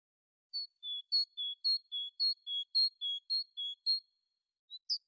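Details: Tit singing a clear, high two-note whistled phrase, repeated about a dozen times in quick, steady succession, with two short sharper notes at the end; no other sounds.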